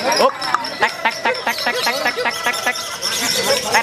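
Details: A lovebird, described as a "fighter" type, pours out a fast, chattering twitter of short, harsh, squeaky notes, several each second, over a busy background murmur at a bird event.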